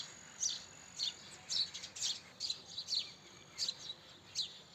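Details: House sparrow chirping briskly, about nine sharp high notes in under five seconds, some paired closely together, over a quiet background.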